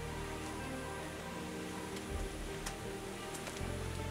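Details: Soft background music plays with a few faint ticks and taps, and no animal voice is heard.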